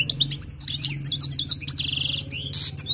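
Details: Wild goldfinch song for tutoring: busy, tinkling twitter of quick chirps and slurred whistles, with a short rapid trill and a brief buzzy burst, over a steady low hum.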